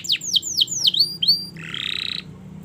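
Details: Canary song for tutoring young canaries: several loud downward-swooping whistles and short upslurred notes, ending in a brief buzzy rattle.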